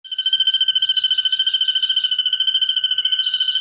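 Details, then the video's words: Ashy drongo imitating a 'kunti' sound, used as a training recording for songbirds: a steady, rapidly pulsed whistle at constant pitch, about eleven pulses per second, running without a break. "Masteran burung srigunting nembak suara kunti"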